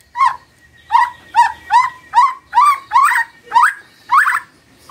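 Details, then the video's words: Magpie-robin morning song meant to prompt a quiet bird to answer: a steady series of short, rising chirped notes, about two each second, with a faint low hum underneath. "Pancingan PAGI PAGI AGAR MURAI GACOR❗ murai diam pasti ikut NYAUT❗❗"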